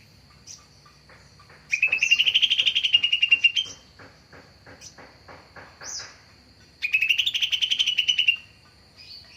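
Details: Greater green leafbird sound used as a lure for catching birds: two bursts of fast buzzy pulsed notes rising then flattening, separated by softer clicks and short upslurred chirps, with a continuous high tone.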